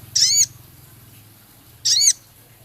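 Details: Male Javan cochoa in full song, rich in scarlet minivet imitation, ketikan and rough crecet. Two high, arching, slurred notes are given about one and a half seconds apart.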